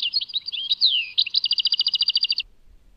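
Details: At Tadmait a European goldfinch sings liquid twittering notes, a downward-swooping slur, then a rapid rattling trill of evenly spaced notes before stopping.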